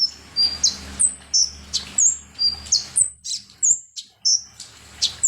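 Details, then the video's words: High-pitched sunbird song, konin type, used to provoke birds: evenly spaced sharp chirps about every half second, some notes curling downward, others flat and piercing. "SUARA BURUNG KONIN atau KOLIBRI NINJA"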